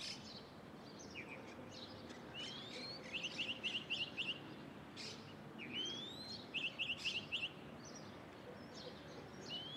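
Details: A lark sings high in a pine, delivering two bursts of fast repeated chirps, each led by a rising whistle, with scattered calls from other birds and a faint low hum underneath.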